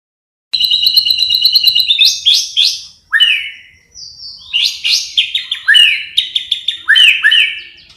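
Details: White-rumped shama song from bird-training material with sparrow, fighting lovebird and kapas tembak fills: a rapid even trill of bright high notes, then loud varied phrases of sweeping whistles and sharp downslurred notes separated by brief pauses.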